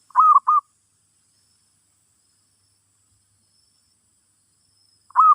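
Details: Zebra dove song played as a lesson for a new bird: two short, clean cooing notes near one pitch open the recording, a long silence follows, and a single further coo sounds at the end.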